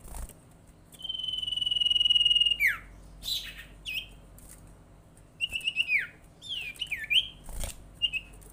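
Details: Lure call of a common iora (sirtu, cipow) meant to set other ioras calling: a long level whistle sliding down at the end, followed by clustered dipping whistled notes and quick chirps, with clicking sounds.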